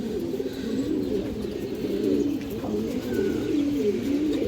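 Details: Pigeons kept for sale, squabs and flying birds among them: low, rolling coos repeat from several birds throughout, over a constant noisy background.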